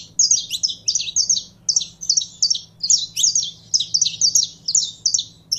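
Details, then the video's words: Saffron finch in continuous song, a dense, rapid run of sharp high chirps in rhythmic clusters about twice per second, with no real pauses. "Canário da Terra Esquentando em 3 2 1!!!"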